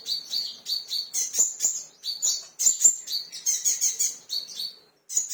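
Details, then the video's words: Provoked by a lure sound, an agitated kingfisher gives shrill, high repeated notes mixed with harsher, higher chattering phrases, a short pause near the end, then one more burst. "suara kolibri raja ngamuk pancingan bunyi"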